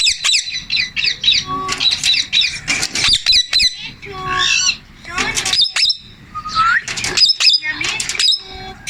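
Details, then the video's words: Male Indian ringneck parakeet, a pet, talking: chattering mix of squeaky chirps, rising and falling whistled notes and short speech-like squawks in quick irregular bursts. "MALE INDIAN RINGNECK TALKING"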